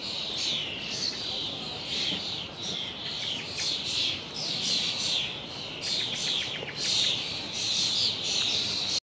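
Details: Chorus from young common starlings flocking in a horse chestnut at the Lido, audible hundreds of yards away: many birds giving rasping, wheezy calls and clicking chatter together, a busy unbroken wall of sound with brief rapid ticking runs.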